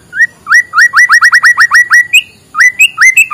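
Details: White-rumped shama singing in the morning to draw out lazy birds: a rapid, even series of short upswept whistles repeated about five per second, a brief pause, then more quick rising whistled notes.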